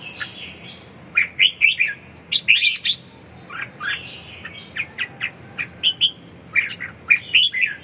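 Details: Red-whiskered bulbul delivering rapid clusters of bright chirps and warbled whistles, a dense burst early on, then evenly spaced short notes, with a low background hum.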